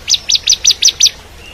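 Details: Bar-winged prinia (ciblek kristal) song used as tutor recording for shamas, a quick run of six sharp, high, downslurred chip notes spaced about a fifth of a second apart.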